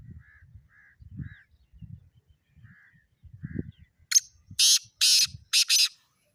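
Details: Soft short chirps repeat over low rumbling. A black francolin then bursts into a loud grating call of four harsh notes, the last two closely paired.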